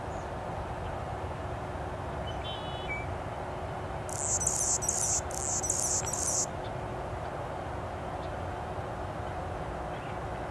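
Anna's hummingbird gives a burst of very high, scratchy, rapidly repeated buzzy notes lasting about two seconds, over a steady low background rumble.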